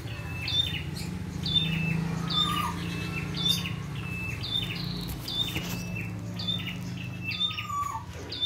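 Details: Red-headed prinia singing steadily outdoors, varied and chatty: high chirping phrases with a sharp whistle repeat about once a second over a constant low engine-like hum.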